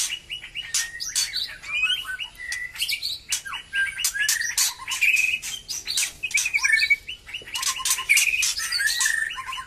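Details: White-rumped shama after moulting, just starting to sing vigorously again; dense varied song of whistled notes, rapid trills and sharp chips packed together, with short pure whistles mixed among harsher bursts.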